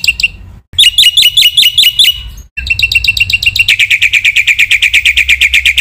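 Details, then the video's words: Black-winged myna masteran song: a few sharp notes, a gap, then bright repeated chirps, later a steady fast rattle of metallic notes roughly six per second. "masteran jalak putih gacor full isian sekali dengar semua burung jalak terpancing emosi"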